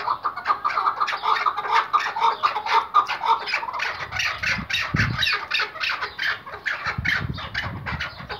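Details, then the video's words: Iraqi white chukar partridge, a tethered hunting partridge, calling in a loud, hoarse, chattering run of harsh squawks. The notes repeat about twice a second with uneven timing, and a few low thumps are heard partway through. "IRAK BEYAZ BAĞLI AV KEKLİĞİ partridge | EN GÜZEL KEKLİK HENGAMESİ"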